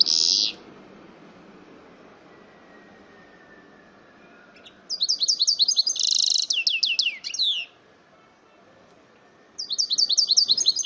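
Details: Hybrid of male goldfinch and female canary, known as mule, giving a short buzzy burst then, after a pause, a fast run of high trilled chirps and a dense rattle, ending with another trill phrase.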